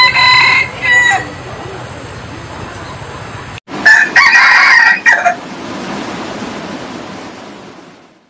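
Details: Rooster giving loud, harsh, harmonic bursts in two groups, one at the start and another after a short silence, with noisy background between them that fades out at the end.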